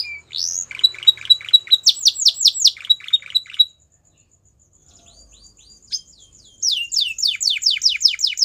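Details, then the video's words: Belgian canary delivering bursts of rhythmic, high chopped notes and downswept whistles, a short near-silent pause with soft chirps, then a fresh run of rapid falling notes. "Belgian Canary Song"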